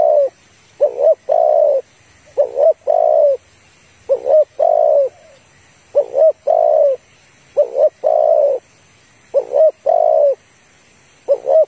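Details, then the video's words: A female spotted dove calls to attract males, giving repeated low, hollow coos, each phrase a short note then a longer throaty one, about every two seconds; little else is heard. "tiếng cu gáy"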